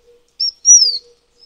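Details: Taiwan fulvetta, endemic to Taiwan's high-altitude mountains, gives a brief high chip followed by a clear, slightly longer whistle that drifts downward; the background is otherwise quiet apart from a faint low tone.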